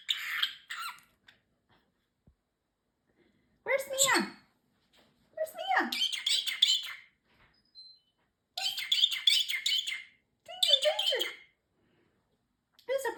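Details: Pet parrotlet, male, mimicking human phrases such as peekaboo, a fake cough and excuse me; short bursts of high, harmonic-rich speech-like chatter repeated in several separate phrases with silent gaps between.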